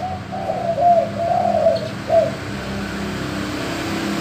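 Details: Male spotted dove in gembur manggung song, a deep-voiced cooing used to encourage other doves to call; a series of soft slurred coos running together, ending in a short clipped note, then quiet hum.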